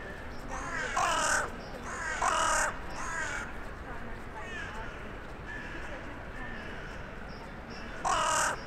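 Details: Crow living in a town centre, calling on an evening in January 2021 to others flying in for the night: loud harsh caws near the start, at about two seconds, again around three seconds and near the end, with fainter distant cawing in between.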